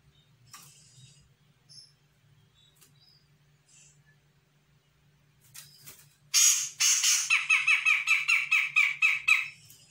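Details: Young Sumatran grey-cheeked bulbul responding to a lure: a few faint chirps over a low hum, then a sudden loud harsh burst and quick, rhythmic rasping chatter.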